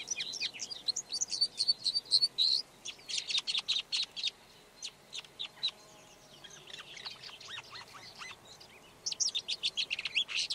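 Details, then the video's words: Red-backed shrike song of rapid repeated high chips and chattering phrases, followed by a quieter stretch of thin notes, then a renewed burst of fast clicking twitters at the end. "Red backed Shrike · Lanius collurio - song"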